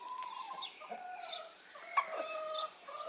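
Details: Brahma broody hen off the nest, vocal while out for her once-daily break: drawn-out, wavering nasal tones with a sharp accented note near the middle, continuous and fairly level throughout.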